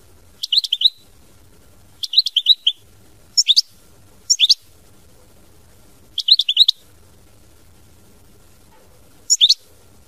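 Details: Goldfinch singing mama binette style in brief, bright twittering phrases of three to five notes, repeated about every one to two seconds with quiet low rumble in the gaps.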